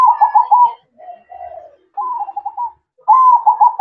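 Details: Night-time manggung singing by a zebra dove, a series of mellow trilled coos in three or four phrases broken by short silences. The last phrase is loud and rolling and carries into the end.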